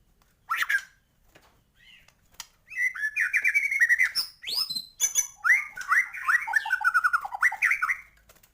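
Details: White-rumped shama performing 'gacor' song with full 'isian' meant to raise birds' excitement: a single loud whistle, short pause, then long rapid trills and rattling whistled runs with a few high swooping notes.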